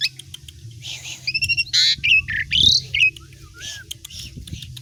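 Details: Vigorous Asian pied starling song for tutoring other songbirds: harsh squawky bursts mixed with bright slurred whistles and short chattered notes, delivered in an uneven, rapid stream over a few seconds.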